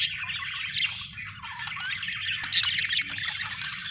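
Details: Cheerful budgie chatter from an Australian bird: rapid scratchy warbles, squeaks and harsh little squawks run together without pause.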